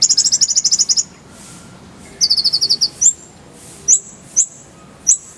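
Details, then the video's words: Brown-throated sunbird song for songbird training, clear-voiced 'tembakan' rolls: two quick buzzy trills of very high ticking notes, followed by several separate upslurred whistled notes. "Masteran Kolibri ninja full isian, Roll tembakan Suara jernih"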